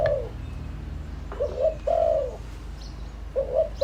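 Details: Spotted dove lure bird calling, soft low coos: a short note, a pair of quick coos, a long falling coo, then another quick pair, over a low background hum.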